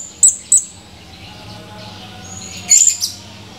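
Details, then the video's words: Blue-crowned hanging parrot, male, recorded 17 July 2020: two sharp, very high chirps close together, then a rougher, scratchy high burst of chatter, over a faint low hum. "Serindit birds chirping"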